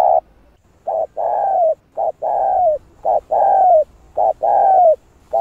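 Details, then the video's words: Spotted dove giving the rapid pressing coo sequence used to stimulate doves: pairs of a short hoot and a longer buzzy falling coo, repeated about once a second, steady and low-pitched. "Cu Gáy Giọng Hạp Bổi Bài Bản | GÁY GỌI + THÚC + Gù | Kích Cu Gáy Bổi Gáy"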